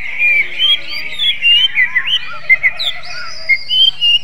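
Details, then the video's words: Greater green leafbird giving a magpie-robin-like (kacer) song: a lively run of clear whistled notes, slurred up and down, tightly spaced, over a steady background chorus of other birds. "CUCAK IJO RASA KACER"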